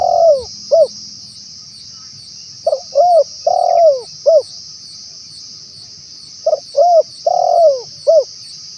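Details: Wild-bird lure recording of a spotted dove, with three clusters of quick clipped coos and a long downslurred note, long pauses between clusters, and a continuous shrill buzz in the background.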